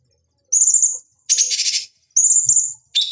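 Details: Cucak cungkok (bulbul) song used as a master recording for training fighting birds: three high, thin whistled phrases, each about half a second, with a dense buzzy burst between them and another starting at the end.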